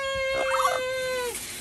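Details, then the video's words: Pet parrot taken outside for a walk, singing happy birthday: one sustained, steady, tonal note held about a second with a short warbling wobble in the middle, then fading into a person talking. "loro cantando happy Birthday"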